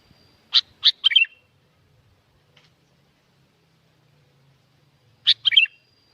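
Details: Sooty-headed bulbul from Curug Agung, Subang, West Java, Indonesia, singing busily as a lure for silent birds: two bursts of quick chirpy, slurred notes, three then two, separated by a few seconds of quiet, over a steady thin high tone.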